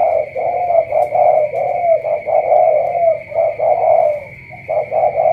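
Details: Spotted dove, Cà Mau, pouring out loud, almost unbroken throaty cooing, long purring notes running into one another with brief gaps, a steady shrill electronic tone underneath.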